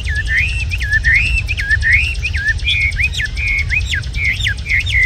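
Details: Tame red-whiskered bulbul, described as singing very well, gives a run of quick warbled whistles with looping, rising-and-falling notes repeated rapidly over a low rumbling background hum.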